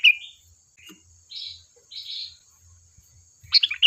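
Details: Sooty-headed bulbul recording used to lure other birds: scattered soft chirps and hoarse buzzy notes, ending in a bright, quick bubbling phrase, with a steady thin high whine throughout.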